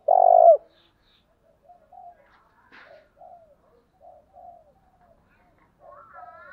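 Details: Spotted dove calling at early morning to lure: one loud drawn-out coo, then a series of soft, short, distant coos and faint higher bird notes.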